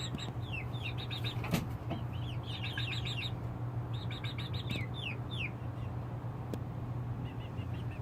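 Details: Night-time chicks on their perches, some perched on their mother hen, calling in bursts of high peeps, some falling in pitch, with occasional clicks and a continuous low hum.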